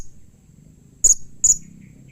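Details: Blue-crowned hanging parrot giving a call meant to prompt other hanging parrots to answer: two brief, very high, thin notes about half a second apart over a quiet low background hum.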